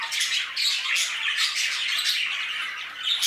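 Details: Squawky, warbling chatter from a group of budgerigars in an aviary, continuous and overlapping, with sharp notes peaking every half second or so.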